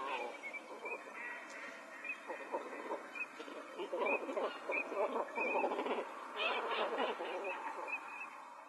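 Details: Great cormorants recorded 3 January 2007 in Niigata City, Niigata, Japan, give harsh, guttural, rattling croaks in uneven bursts of grunts; faint higher chirps, probably other birds, in the background.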